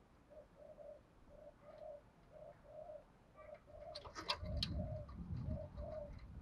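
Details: Spotted dove lure calls in local field-voice style for training wild-caught fighting doves. Soft, regularly repeated low coos roughly three per second over steady background hum, with sharp clicks and clattering midway.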